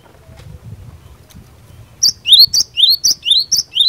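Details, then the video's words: After two seconds of low background rumble, a Java sparrow bursts into song meant to provoke rivals into answering, a rapid series of bright chirps alternating with upward-slurred whistles, roughly two per second. "Burung Glatik Batu Gacor Fighter, Cepat Bikin Glatik Lain Langsung NYAUT"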